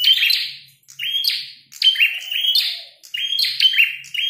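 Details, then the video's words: Fighting red-headed prinia in vigorous song: bright, scratchy chirps run together into three quick phrases, each starting with a sharp high note and falling away, with short gaps between them. "Prenjak tarung gacor | prenjak kepala merah"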